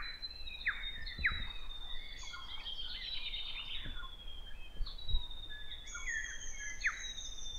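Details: Grey warbler, or riroriro, at Kapiti, New Zealand: long thin high whistled notes that waver and slide gently downward in a drawn-out chain, with sharp down-slurred chirps scattered through, and light background noise.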